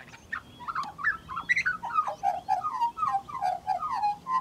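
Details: Female Western-race Australian magpie, Gymnorhina tibicen dorsalis, mimicking other birds while harvesting grass for her nest: a rapid, continuous run of varied whistled and warbled notes. Some notes rise, then the notes settle into repeated mellow downward slurs.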